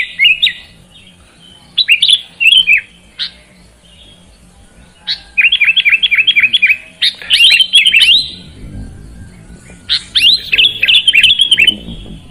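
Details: Kutilang, the sooty-headed bulbul, in a therapy recording for reluctant singers; brief chirp bursts, then rapid rattling series of about seven repeated notes, with a soft low rumble late on.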